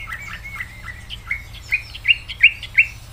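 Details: Greater green leafbird song: soft warbled notes building into a repeated series of sharp rising whistles, roughly three per second, over a faint hum.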